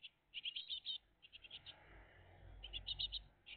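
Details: Great tit family at the nest, 20 June 2023, early morning between 06:02 and 08:01: quick trills of high chirps in several short groups, separated by brief pauses, over a soft low rumble and background hiss.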